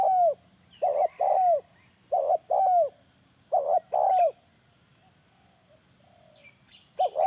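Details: Three spotted dove phrases used for luring open the recording: a short shaky coo, then a longer falling coo. A quiet stretch with faint small-bird twitters follows, and one more coo phrase begins at the very end.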